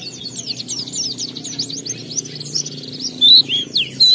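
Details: Oriental white-eye kept as a lure bird to make other white-eyes sing, delivering fast high chattering twitters that end in a few louder clear whistled notes, over a low background hum.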